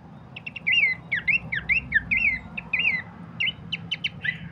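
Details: Horsfield's babbler song offered as a lure and training master for songbirds: quick ticking notes lead into a chain of looping, slurred whistles, repeated about twice a second, ending in sharp clicks.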